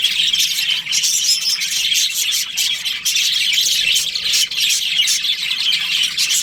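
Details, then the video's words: Continuous flock chatter from budgerigars in a breeding colony during breeding season: overlapping high chirps, raspy squawks and warbled phrases, unbroken from start to finish. "Cute budgies chirping sounds | beautiful budgies breeding season"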